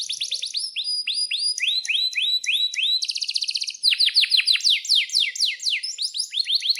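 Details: Canary in full song, offered as a lure to set other canaries singing: rapid series of sharp downslurred chirps, a fast buzzy trill near three seconds, then loud sweeping repeated notes, almost three per second.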